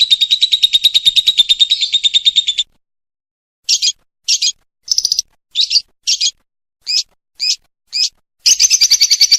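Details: Lovebird song used as a training recording for contest birds: a long, rapid, high-pitched pulsed trill, then short separated bursts of trilling roughly every half second, ending in another sustained rapid trill.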